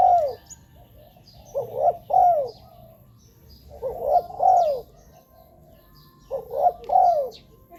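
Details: Spotted dove cooing for luring wild doves: phrases of two or three coos ending in a drawn-out, downward note, repeated every two to two and a half seconds, with faint high chirps from other birds.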